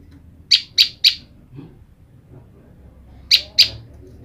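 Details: Olive-backed tailorbird female separated from her male partner, calling for him: a rapid triplet of sharp, clicky chips, a pause, then a pair of the same loud notes over a quiet background.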